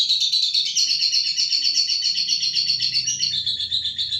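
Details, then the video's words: Contest-ready lovebird delivering a 'tarek sugan' long song: an unbroken, high, chattering trill of fast chirps held at an even pitch for over four seconds, with a faint low hum underneath. "Love bird tarek sugan siap gantang"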